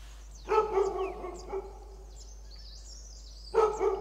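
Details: A red-billed blue magpie forages confidently on the ground under oaks near Motidhar, Mussoorie. Harsh, grating notes come in a rapid cluster, then silence, then a second loud cluster three seconds later, raucous and challenging in tone.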